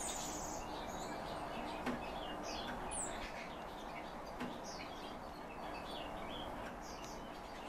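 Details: Calandra lark held as a cage bird, giving scattered high chirps and downslurred notes in loose bursts, with two faint knocks and a steady hiss behind.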